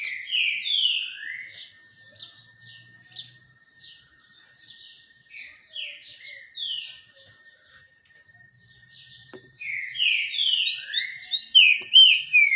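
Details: Green-winged saltator in the sun delivering repeated bursts of bright, slurred whistles, loud at the beginning and end with quieter higher chirping and a constant faint tone between phrases.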